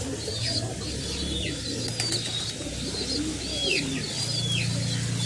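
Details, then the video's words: Pigeon chicks being fed by their parents: a series of thin, high squeals, each sliding downward, repeated about once a second over steady low background noise. "pigeon feeding their chicks"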